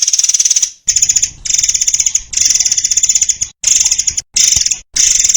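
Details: White-crowned shama master song for training caged songbirds: bursts of dense, rattling, high trills about a second long, broken by short silences, with chattering notes throughout.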